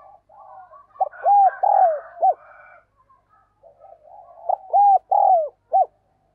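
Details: Decoy spotted dove calling to lure wild doves back: soft low murmuring leads into loud cooing phrases of three or four hollow notes, the sequence repeated twice with a short pause between.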